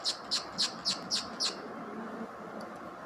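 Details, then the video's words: Talking green parrot giving six sharp, high squawks in a steady run about every quarter second, then a fainter tick and a final click, over a low indoor hum. "talking parrot. ||• MR PARROT FUNNY TALKING"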